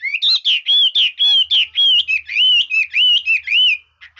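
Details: Red-whiskered bulbul singing a varied, voice-switching song: a fast run of loud whistled notes that rise and fall, each slurred and warbling, about two per second, ending in a few soft chips; faint low hum underneath.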